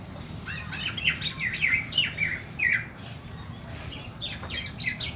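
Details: Black-naped oriole chick calling to attract its parent birds: harsh, scratchy squawks with slurred notes, given in quick uneven bursts, then a pause and a second shorter burst.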